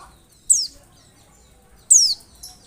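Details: High, thin descending slurs from an Oriental white-eye, played as a lure to provoke a reply; two clear notes about one and a half seconds apart, a faint softer note after the second, quiet hum beneath.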